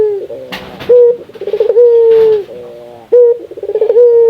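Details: Barbary dove from the Indonesian archipelago, a frequent caller, cooing to stimulate other doves. Low coos start with a sharp onset, then a bubbling trill, then a long even hum, and the pattern is repeated twice. Faint knocks are heard.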